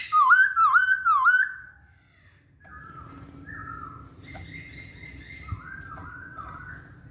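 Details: Masked laughingthrush singing: three loud whistled notes, each dipping then rising, come in quick succession. A quieter series of slurred whistles follows, and there is a low background rumble.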